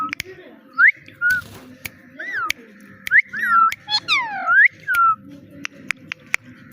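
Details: Pet talking parrot mimicking words like "Mitthu" and "meow": a run of high, sliding whistled notes, some rising and some falling, with sharp clicking taps scattered throughout and a faint low hum underneath.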